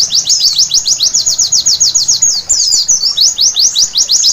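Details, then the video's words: At night a white-eye pours out a fast string of shrill falling notes, with a short warbled tangle partway through; steady, insistent rhythm throughout. "Terapi Pleci Malam Hari Bikin Gacor seketika!!!"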